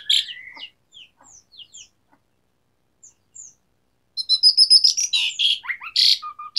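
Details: Asian pied starling in vigorous varied song: sparse short whistles and chirps, some rising, then a dense, scratchy medley of squeaks, whistles and harsh buzzy notes.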